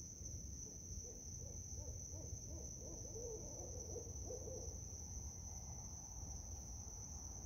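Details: Barred owls, five birds calling back and forth at night in a park, unseen; a rapid run of low, throaty hoots rising and falling for about four seconds, over a steady high cricket trill and low background rumble.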